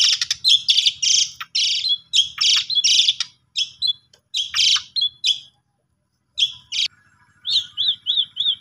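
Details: Asian pied starling song used as a lure to provoke a sulking, silent starling into singing: loud harsh chattering bursts with whistled notes, a brief pause, then a rapid series of short upslurred whistles at the end.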